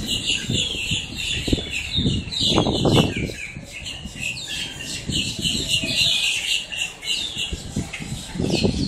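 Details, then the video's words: Blackbirds in Miami, Florida, recorded up close making quite a racket: a dense, continuous chorus of overlapping high squawks and chattering notes from many birds, with scattered low thumps and knocks throughout. "blackbirds squawking"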